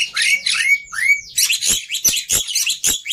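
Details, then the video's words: Black-winged myna singing, meant to make birds start singing. Opens with sweeping, falling whistles and buzzy slurs, then shifts to sharp, broadband clacking notes about two to three per second. "Sangat Ampuh Memancing Burung Jalak Putih Bahan Cepat Bunyi Anti Mandek || Jalak Putih Gacor"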